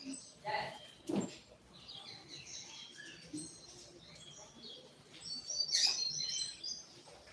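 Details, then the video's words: Rusty-collared seedeater (coleiro) giving a short Tui Tui style song, third-note pull: thin high whistles and chirps, a sharp burst near the start and a louder buzzy, trilled phrase around six seconds, over steady background hiss. "Puxada de coleiro Tui Tui curto 3° nota"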